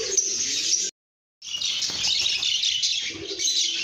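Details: Lovebirds chirping in a cheerful mood: dense high twittering, broken by a half-second silence, then resuming with louder squeaky chatter.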